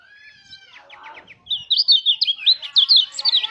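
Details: Mountain white-eye lure song for prompting other white-eyes to sing; soft mixed chirps and clicks give way to a loud, sustained stream of rapid, high looping warbles.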